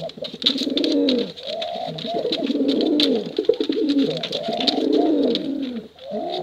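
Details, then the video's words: Long cooing from male and female competition pigeons, used to lure young birds. Overlapping deep, wavering coo phrases run almost without pause, over busy clicking and tapping noises. "Suara Bekuran Burung Merpati Lomba Hutan Dara"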